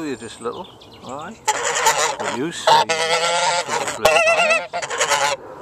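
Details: Low, gliding grunts open the recording before rowdy farm geese break into loud, harsh, wavering honks that carry on to the end.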